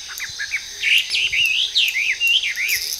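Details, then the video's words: A Hwamei in a park in Japan, where it is an invasive introduced species, sings from trees: a rich, fast run of slurred, looping whistles that rise and fall without pause, over a faint steady insect hum. "A Hwamei Singing Beautifully"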